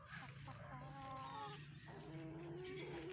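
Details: A pet rooster that the owner says has a throat problem, kept with newly introduced young hens, gives a hoarse, strained crow: a harmonic middle note, then a long, low, rising drawn-out tail, over steady background hiss.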